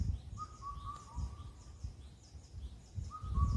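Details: One full four-note whistled phrase of an Indian cuckoo on Cheonmasan, Incheon, Korea, with its falling final note, then the start of the next phrase. High chirps of other birds and low rumble behind.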